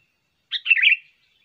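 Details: Sooty-headed bulbul, a trained bird whose voice serves as a lure and song tutor, gives one brief jumbled phrase: a sharp opening note slides into a fast gurgling warble that fades out. There are no other sounds.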